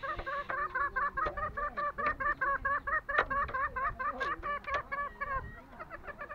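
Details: Green junglefowl, Lombok: regular gobbling bursts of nasal, zigzag notes, a little over two per second, with a few sharp clicks between them.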